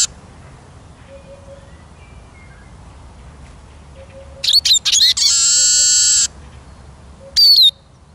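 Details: Eurasian siskin song: a few sharp twittering notes, then a long, strained, buzzy wheeze lasting about a second, with a final high chirp after it; quiet background.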